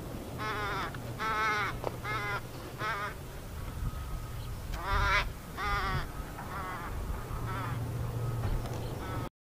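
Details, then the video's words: Angry crow chasing a bald eagle at Iona beach, Tuesday afternoon 4 July 2017: bursts of hoarse, grating caws in clusters of two to four, with a pause mid-sequence, over steady low background rumble. "Angry crow chases bald eagle"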